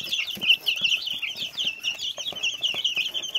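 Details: Little chicks peep nonstop in a crowded group, their short, high, slightly falling cheeps tumbling over one another in quick succession, with soft scratching and rustling below.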